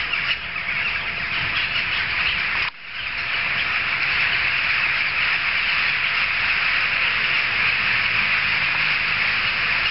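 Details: A noisy flock of jackdaws, heard several streets away, sends up rapid, overlapping harsh calls. A brief handling bump interrupts early on, then the steady chorus resumes.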